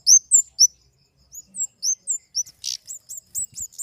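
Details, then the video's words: Flowerpecker with three loud, piercing, high chirps, then a steady run of softer, evenly spaced chirps, broken once by a brief rustling noise. "Suara burung kemade"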